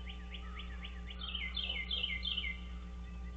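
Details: Bald eagle from a wild nesting pair at Dale Hollow Lake on the Kentucky-Tennessee line, picked up by a nest camera early on 30 March 2023. A few short chirps lead into a burst of rapid, high, descending squeals, with a steady hum beneath.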